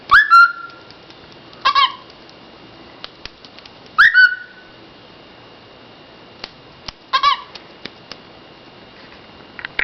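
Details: Pet bird making cute noises indoors: short whistled chirps with a bright rising-falling note, repeated a few times with pauses, plus scattered clicks and taps.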